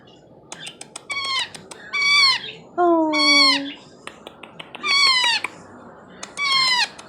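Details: Baby Indian ringneck parakeet, about four months old, fed and not in pain, crying for attention: repeated drawn-out harsh, nasal wailing notes, some sliding downward, each about half a second, mixed with quick clicking chips between cries, indoors.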